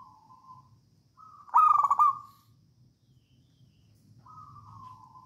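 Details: Wild local zebra dove from Java singing in songgo ratu style as a lure for other doves; a level coo leads into a loud, fast throbbing trill that eases into a smooth drawn-out note, another coo following.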